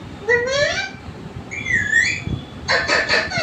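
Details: Pet parrot vocalizing: a rising whistled note, then a sliding whistle dipping and rising, followed by a harsh, buzzy chattering burst.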